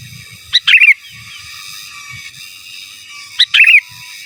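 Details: Sooty-headed bulbul in energetic gacor, giras and menggaruda song for masteran training: two brief liquid phrases, each a clipped opening note then a fluty tumbling flourish, about three seconds apart, with faint low thumps and a constant high tone.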